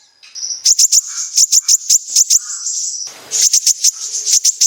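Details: Kolibri ninja sunbird in full, continuous besetan song, played to lure sunbirds into singing: steady high trill overlaid with regular sharp ticks, a noisy burst midway, then the ticking resumes.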